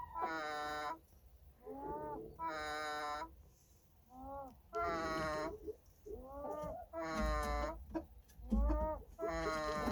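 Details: Sleeping chicken snoring: harsh, nasal bursts rich in overtones alternate with softer falling, wavering notes, about two per second-long cycle, over a low steady hum.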